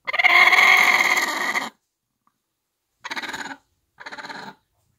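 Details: Bantam mother hen guarding one-day-old chicks in a farm backyard gives a loud, rough, rattling call of nearly two seconds, then two short, quieter raspy bursts after a pause.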